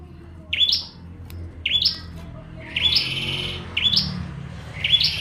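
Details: Bar-winged prinia in full song: five short buzzy phrases, each a quick upward chirp running into a flat high buzz, repeated roughly once a second with steady spacing and a faint low hum underneath.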